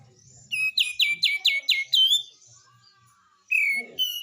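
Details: Cream-vented bulbul (kapas tembak) singing vigorously in besetan style: a burst of six rapid, bright, downslurred notes, then a pause and a sharp high slurred phrase, with faint low rumble underneath.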